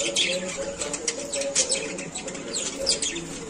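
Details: Playing lovebirds giving dense shrill chirps and squeaks, irregular overlapping high notes throughout with a few sharper peaks, a low steady hum in the background.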